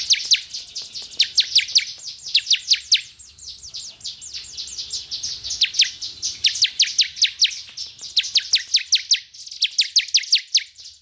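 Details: Bar-winged prinia song meant to stimulate caged birds: bursts of rapid, sharp, high downward-sweeping notes, grouped in runs of several seconds separated by brief quieter gaps.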